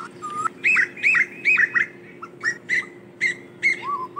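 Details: Asian koel flock call: a series of sharp, bright, repeated notes, roughly two each second, ending in a lower slurred whistle, over a faint steady hum.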